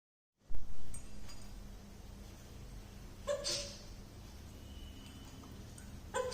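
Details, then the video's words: An 18-month-old African grey parrot imitates human sneezing, giving two short, sharp, hissing sneezes about three seconds apart over a low indoor rumble. "African Grey Parrot Sneezing 🤧 Like humans"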